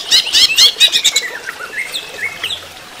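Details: Caged greater green leafbird singing during running-water therapy, opening with a fast burst of sharp chattering notes, then a few softer slurred whistles that dip and rise.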